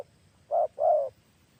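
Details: Spotted dove with a big voice, used as a lure to trap wild spotted doves: two low, round cooing notes, a short one then a longer one, over a faint low rumble.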